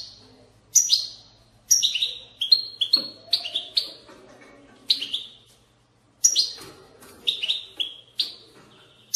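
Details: European goldfinch giving bitbita twittering to stimulate singing. A busy string of high, sliding chirps comes in two long bursts with a brief gap between, over light low hum.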